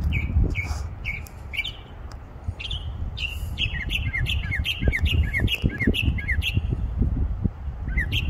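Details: Songbird singing from a tree with a variety of sounds: rapid series of short chirps and upslurred whistled notes, some chattering trills, repeating throughout, over a steady low rumble and handling noise.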